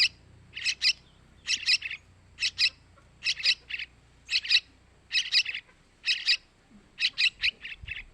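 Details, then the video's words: Chick begging of the sooty-headed bulbul, used to attract male birds: raspy, buzzy chirps delivered in tight pairs and triplets, repeated steadily and fairly fast over a low background hum. "Suara Anakan Trucukan buat Pancingan burung Trucukan jantan"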